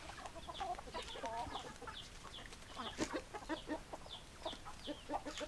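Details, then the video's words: Chickens, hens clucking: dense bursts of sharp clucks and quick nasal notes from several birds, rising and falling in loudness, with some thin high squeaky calls mixed in. "Chicken Sounds Noises Hens Clucking Roosters Crowing"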